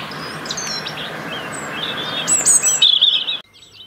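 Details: A UK robin singing for its winter territory: faint high whistles at first over soft background hiss, building to a louder, bright jumbled phrase before cutting off abruptly.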